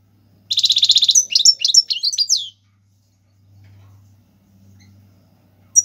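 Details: Goldfinch song of the Tiwawati Galoubi and Serfati styles, for tutoring chicks: a loud buzzy pulsed trill leading straight into jumbled high twitters, then near silence with a faint low hum and one closing chip.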